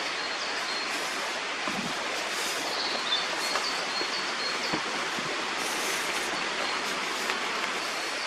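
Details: Continuous broadband hiss with a few faint knocks, no clear animal voice heard.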